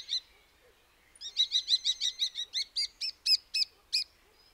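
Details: Common starling giving a short high note, a pause, then a quick run of about fourteen repeated clipped chirps, evenly spaced and growing slightly louder toward the end, in a quiet setting.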